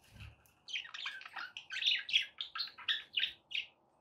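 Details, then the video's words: Domestic budgie warbling in a quick series of short scratchy chirps, roughly three or four notes a second, over a soft background hum. "relaxing budgie sounds"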